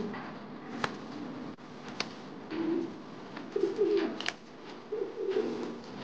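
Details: Low, rolling coos from an angry male modena king pigeon of a fancy breed, given in three short bursts about a second apart, amid sharp clicks and taps in an enclosed room.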